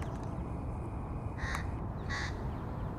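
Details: Two short, hoarse caws about half a second apart from a crow feeding young, set against steady low background noise.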